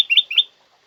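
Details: Loud, clear call of a black-crested bulbul used as a training recording for pet birds. It gives two quick, bright, slurred whistled notes in close succession, then silence.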